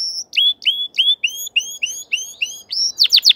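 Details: Crested canary in top form repeats a clear rising-then-level whistled phrase about three times a second, ending in a burst of bright, steeply falling high notes.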